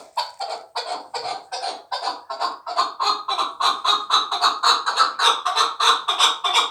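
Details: Chukar partridge, a young fighting bird from last year, delivering a long rapid series of hoarse chuck notes, over three per second, growing louder and steadier toward the end.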